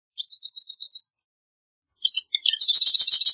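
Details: A marsh wren sings a rapid, rattling high trill. After a pause of about a second, a few scattered notes lead into a harsher, dense buzzing trill that runs on to the end.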